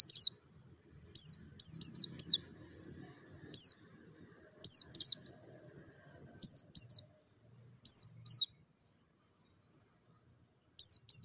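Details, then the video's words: White-eye therapy sound for singing stimulation: repeated high chirps, each dropping sharply in pitch, delivered in groups of two to four, with a long quiet stretch near the end and faint low murmuring behind. "TERAPI PLECI MERANGSANG BUNYI CEPAT GACOR BUKA PARUH"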